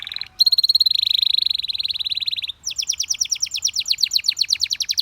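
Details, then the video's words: A Belgian canary delivers a fast, even buzzing trill lasting about two seconds, a short pause, then a rolling series of rapid clipped notes repeated many times each second. "The Sound Of The Belgian Canary Tempts Your Canary To Sing"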